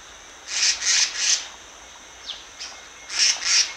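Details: High scratchy notes from a decoy Black-naped monarch: three rasps, a short downward slur, then two more harsh rasps, with a steady faint hiss behind.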